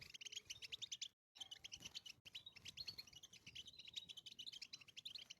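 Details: Wild European goldfinch singing in nature: a rapid, continuous tinkling twitter of high chirps and short trills, with brief cuts to silence partway through.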